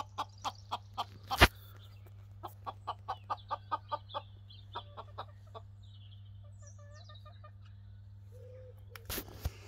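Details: A Pekin bantam rooster in the Cotswolds gives a quick run of short, sharp clucks, then a few softer calls, over a steady low hum and two loud knocks.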